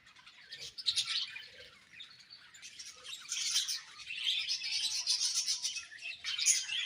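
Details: Budgies warble continuously, a steady stream of high scratchy chirps and twitters that rises and falls in loudness without any real pause.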